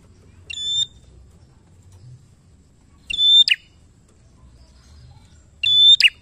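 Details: Bar-winged prinia in energetic song for coaxing other prinias to sing: three evenly spaced phrases about every two and a half seconds, each a level high whistle snapping into two crisp notes, quiet in between.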